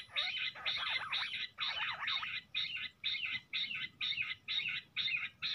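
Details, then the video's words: Fighting jungle bush quail near a net: a few wavering, squealing rattles open the sequence, then even, buzzy chattering bursts repeat about twice a second until the end. "bush quail ki ladai video | jungali battair ki ladai | Bush quail sounds | batar awaaz"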